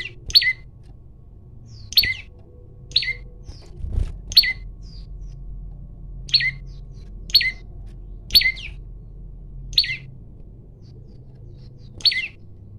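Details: Fight-challenging male olive-backed tailorbird, phone recording: a long series of short, sharp high notes dropping in pitch, given about every one to one and a half seconds, with an occasional low thump and faint background hum.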